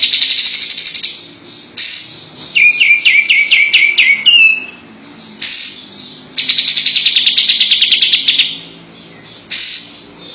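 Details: Sooty-headed bulbul singing vigorously: a quick run of whistled notes, each dropping in pitch, sits between louder high buzzy chirping bursts with short quiet gaps.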